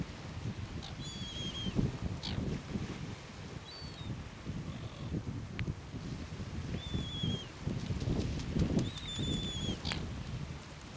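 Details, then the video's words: Caspian tern recorded at Tararu, Coromandel, New Zealand, during preening, begging, take-offs and landings; scattered high, slightly falling calls and a few sharp clicks over constant low rumbling noise, calls spaced irregularly. "Caspian Tern (Sterna caspia)"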